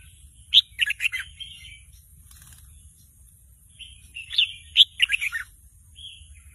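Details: Young caged red-whiskered bulbul practising its song, phrases not yet a full song, excited by a played bird recording and singing along; two bursts of bright chirpy whistled notes, each a quick tumbling run of four to five syllables, with soft low hum beneath.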